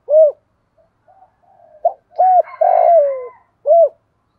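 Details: Spotted dove calling in 'thổ pha' voice: arched coos open and close the phrase around a long descending drawn-out coo, with a fainter, higher harsh call overlapping in the middle.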